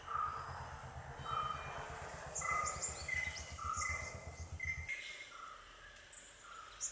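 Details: Red-whiskered bulbul parent at a nest with two babies, bringing food. Clear short whistled notes come about once a second, switching between a lower and a higher pitch, over a low rumbling hum that stops partway through.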